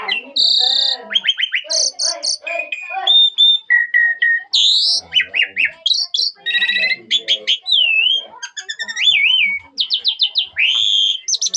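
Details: Asian pied starling in full, richly varied song: a fast medley of high whistles, harsh buzzy notes, rattles, wavering slurred whistles and rapid clicking trills, with barely a pause over nearly twelve seconds.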